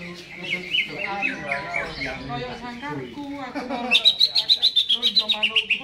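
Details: Caged greater green leafbird singing before being hung up: low murmuring sounds with scattered twittering, then a loud, fast series of sharp high notes repeated several times a second in the final two seconds.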